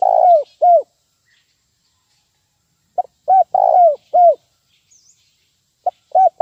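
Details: Spotted dove 'nguku' lure call used to train birds: repeated three- to four-note cooing phrases, soft and hollow, with a longer vibrating coo in each, separated by silent gaps of two to three seconds.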